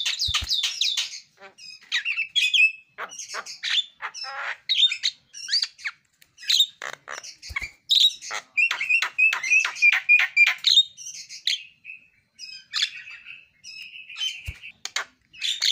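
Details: A Javan myna in full song delivers a busy, varied run of whistles, chirps and harsh squawks packed with imitated phrases.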